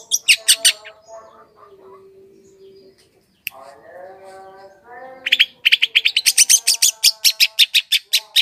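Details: Long-tailed shrike lure song for wild birds: a few quick high chips, a quiet stretch of soft low warbling, then a dense, accelerating run of rapid sharp notes.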